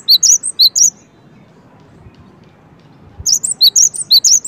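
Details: Cinereous tit giving two bursts of sharp, high chirping notes in quick succession, about two per second, separated by over two seconds of quiet with faint low background hiss.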